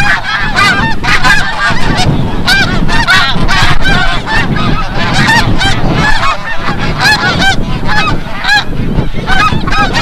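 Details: A dense chorus of snow geese flying back from the bay at sunset over Forsythe National Wildlife Refuge in Oceanville, New Jersey; continuous, crowded nasal honks with harmonics overlap throughout, above a constant low roar.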